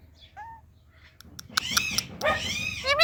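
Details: Indian ringneck parakeet, a talking parrot: a faint falling whistle, then loud, harsh, rasping squawks with wavering arched notes that build toward the end.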